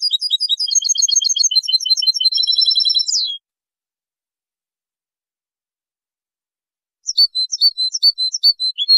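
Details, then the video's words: Goldfinch song from a 2023 training recording: over three seconds of dense, fast, high twittering trills ending in a short rising note. Silence follows, then a rhythmic series of sharp high chirps resumes. "أجمل تغريد لتلقين#الحسون"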